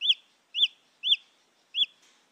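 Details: Junglefowl chick peeps, self-recorded for luring hens closer; four shrill arched notes spaced roughly half a second apart, with a faint hiss at the end and otherwise quiet surroundings.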